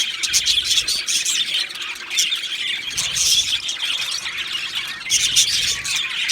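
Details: Pair of male budgies giving rapid squeaky twitters and harsh squawk-like notes, the chatter swelling in louder bursts near the start, middle and end.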